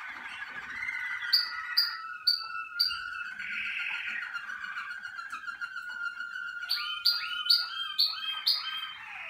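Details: Caged Malinois Waterslager canary warming up on one of its first sessions in the singing cabin. It holds long steady tones, breaks them with sharp upward chirps, then builds bursts of rising flicked notes.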